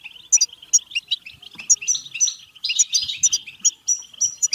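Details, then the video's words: European goldfinch delivering bitbita song meant to excite singing and mating: sparkling, fast twittering with repeated sharp high 'tink' notes and short rolling trills, steady and energetic throughout. "بتبتة حسون فعالة و رهيبة لتحفيز الحسون على التغريد و التزاوج و الهيجان"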